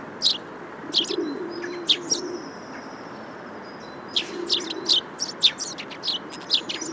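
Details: Eurasian tree sparrows (Passer montanus) give sharp, high chirps in irregular bursts, with a thin sustained whistle and a low soft cooing, likely a dove, underneath.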